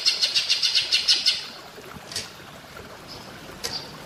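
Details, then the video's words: Cucak ijo (greater green leafbird) in platuk bawang style: a quick rattle of about ten bright notes, followed by fainter scattered clicks and a hissing background. "Masteran cucak ijo rasa platuk bawang"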